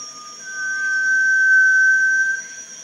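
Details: Malaysian rail-babbler (Eupetes macrocerus) at Panti Bird Sanctuary: one long thin steady whistle of about two seconds, slightly rising at the start, over a constant high insect drone.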